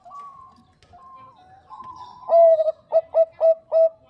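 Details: Zebra dove of the Bangkok type, a female calling a male. Quiet sustained coos lead into loud, bubbling cooing notes repeated in a regular rhythm about three times per second, staccato and ringing.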